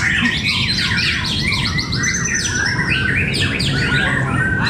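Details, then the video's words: Competition White-rumped shama at Cibinong, a fighter bird in contest: rapid, tumbling song of whistles, steep down-slurred notes and bright high trills, heavily overlapping, with a steady low background hum throughout. "pertarungan burung murai batu fighter"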